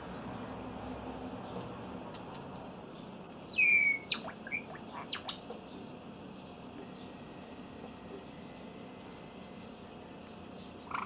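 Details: A male pet Java sparrow gives a short run of high, thin chirps, then a sliding whistled note and a few soft clicks, in a quiet room, 7 May 2017. The younger bird learned this song from the older one, and the two are nearly indistinguishable.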